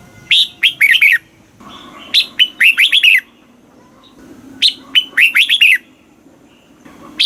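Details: Red-whiskered bulbul in Thailand delivering southern master-style song to stimulate caged birds: three quick, chirpy phrases of sharp and slurred whistled notes roughly every two and a half seconds, with a fourth just beginning.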